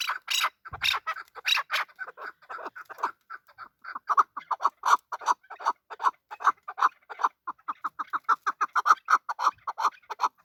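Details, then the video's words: Male chukar partridge, a local desi bird, opening with a few rough, louder notes, then settling into a fast, even series of clipped chuck notes that runs on for several seconds. "Male chakor voice. Chakor voice. Desi chakor voice. Chakor sound. chakor ki awaz."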